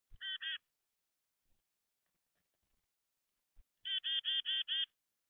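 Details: Black-capped chickadee visiting a bird feeder almost daily, giving short harsh buzzy notes: a pair of quick calls, a pause of about three seconds, then a run of five rapid, evenly spaced notes; otherwise quiet.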